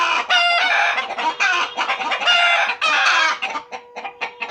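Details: Pet hens at home clucking and cackling almost without pause, loud harsh bursts running together, with a steady low hum underneath.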